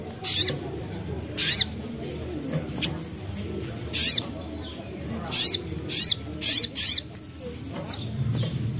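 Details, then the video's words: Young common iora, played as a lure to prompt singing: isolated loud chirps with short upslurred whistles, ending in a quick group of four sharp notes. "Ampuh Untuk Pancing Bunyi Burung Sogon Bahan / Sogok Ontong Muda"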